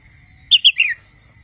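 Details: Young wild red-whiskered bulbul learning to sing: one short phrase of three bright whistled notes, two quick high chirps then a longer falling slur, over a faint steady high tone.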